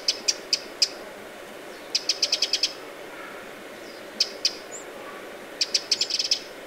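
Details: Eurasian wren at the edge of Lake Vänern, Sweden, late July 2017, giving hard, high ticking alarm notes, singly and in quick rattling bursts of five or six, over a soft hiss.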